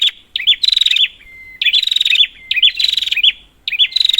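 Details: Prinia calling, played as a lure for prinias that have stopped singing; three sharp, rattling bursts of fast pulses with curled notes, a long level whistle bridging the first gap.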